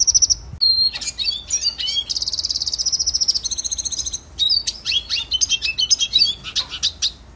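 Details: Red siskin, a small finch of northern Colombia and Venezuela, singing a training song: fast twittering series of high chirps and trills, a long buzzy rattled phrase in the middle, then rapid bright notes; no other sounds.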